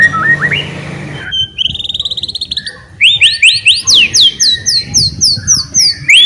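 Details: White-rumped shama song meant to prompt other shamas: a short warble, a fast, even, rattling trill, then a string of loud, clear upward-swept whistles repeated about three times a second.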